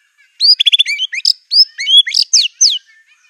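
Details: White-rumped shama pouring out a fierce mimicry-filled song said to hold canary, cililin, cungkok and lovebird phrases: a burst of rapid chips, then a string of loud rising and falling whistled slurs over about two seconds.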